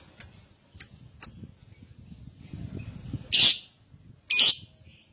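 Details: Lovebird lure recording used to coax other lovebirds into ngekek song; three sharp high chips spaced apart, then two loud, harsh, broadband squawking bursts about a second apart over low background murmur.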